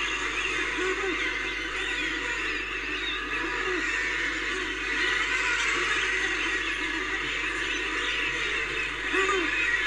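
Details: Common murre: low, arched, growling calls repeated irregularly under a dense, steady wash of higher chatter and hiss, like a crowded seabird colony.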